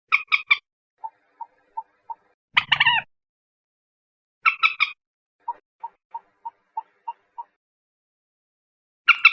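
Common moorhen giving harsh, squawky notes in quick triplets, with runs of soft, low clucks repeated about three times a second between the louder bursts.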